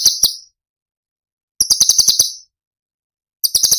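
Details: Cucak cungkok tembakan from Cililin, masteran for training songbirds. Brief clipped trills of sharp high notes, a few stuttered notes then a short burst, separated by long quiet gaps.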